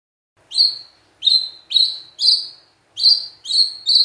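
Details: High, sharp chip-like notes from a magpie-robin, repeated about every half second in an uneven series, clean and piercing. The notes are used to make other magpie-robins respond.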